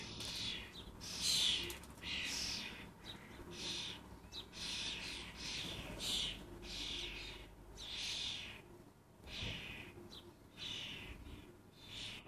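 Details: Excitable common starling fledglings in Lancashire give harsh, hissing rasps about once a second. The calls rise and fall in loudness and overlap irregularly over steady faint background noise.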